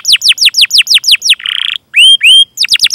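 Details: Canary in Indonesian training song for prompting young canaries: seven quick descending chirps, a short buzzy burst, two long upward-slurred whistles, then more rapid chirps.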